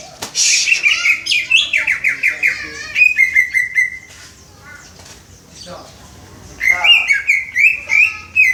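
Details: A Greater green leafbird learning to sing "Om Telolet Om" gives a shrill opening note and a tumbling run of descending whistles, a long held tone, a quiet gap, then more level whistled notes.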